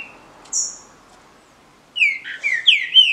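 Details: A captive-bred green-winged saltator in a song contest gives a short high whistle. After a silence it delivers one rich phrase of several falling, slurred whistled notes.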